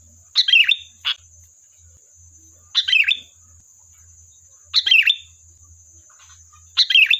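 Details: Lure recording of a sooty-headed bulbul meant to draw a reply, with bubbly two-part whistled phrases repeated roughly every two seconds, one short extra chirp after the first, and a constant high-pitched hum behind.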